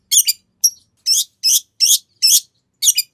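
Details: Long-tailed shrike song used to lure another shrike into answering: a series of short harsh, buzzy notes spaced roughly every third of a second.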